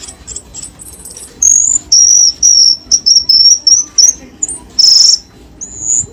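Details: Cucak keling lure sound meant to make lazy caged birds call again: a soft start, then loud, high, level whistles, each held under half a second, in quick succession with brief gaps.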